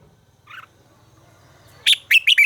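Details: Red-whiskered bulbul in voice training: a faint, soft warble near the start, then after a pause a loud run of four sharp, bright chirping notes that fall in pitch.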